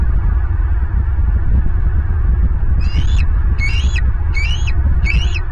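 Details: Bald eagle at a nest camera in Southwest Florida, 14 March 2023, about 08:59 in the morning; four high, thin, squealing chirps repeated roughly every 0.7 seconds, over heavy, steady, low rumbling wind noise.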